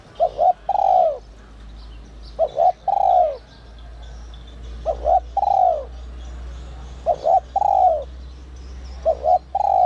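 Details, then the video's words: Cu gáy, or spotted dove, in the high 'giọng còi te te' style prized by keepers for provoking other doves. Repeated phrases of a clipped double coo and a longer falling coo about every two seconds, over a steady low hum and light twittering. "Chim cu gáy GIỌNG CÒI te te kích bổi cực sung, giọng nhạy bổi kích cu gáy bổi nhanh gáy"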